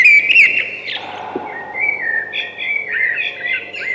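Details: Thrush song of sliding whistled notes, a bright rising flourish at the start, then lower warbled phrases that wander up and down, steady faint hum underneath.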